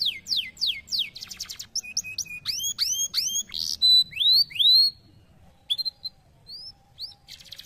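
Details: Canary in full song: rapid downslurred whistles, a buzzy rattling roll, rising swooping notes repeated in a series, a loud steady tone, then scattered short chirps and a final buzzy trill.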